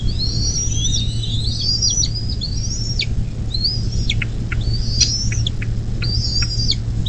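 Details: Bald eagle calling at its nest near South Lebanon, Ohio, on the Little Miami River, 24 May 2024 at 10:12. A rapid, high, twittering chatter of slurred whistles is followed by sharp downward-dropping notes, with a steady low hum throughout.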